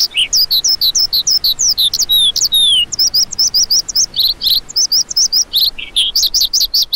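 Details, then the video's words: Lark giving a continuous, rapid stream of high chirps, trills and short slurred whistles, many notes sweeping downward, packed tightly together with hardly a pause throughout. "Lark Calling Sound"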